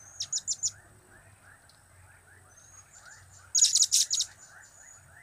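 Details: Blue-crowned hanging parrot giving its cap, kiak and crap calls: three quick high thin chirps, a pause, then a tight burst of five or six sharp shrill notes near the end.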